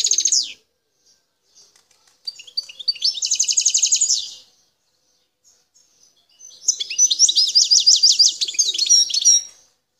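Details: Wild European goldfinch recorded at Bouteldja, El Tarf, Algeria, singing two long, fast buzzy trills of rapidly repeated high notes, separated by near silence and a few soft twitters.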